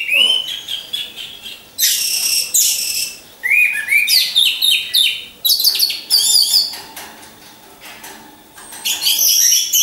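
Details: Orange-headed thrushes in cages hung in a row, singing as a lure for training champion birds: energetic bursts of high, varied warbling and sharp chirps, separated by short quieter gaps.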